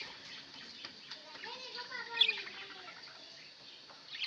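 Budgerigar warbling chatter, soft rising and falling notes with a bright chirp midway, over a steady hiss and faint voices.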